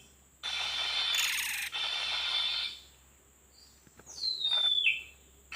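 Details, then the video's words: Wild Oriental magpie-robin (kacer) during bird trapping: a harsh, hissing rasp lasting about two and a half seconds, then after a pause a clear whistle sliding downward in pitch, over a faint steady low hum. "pikat burung Kacer ganas gila mantap jiwa"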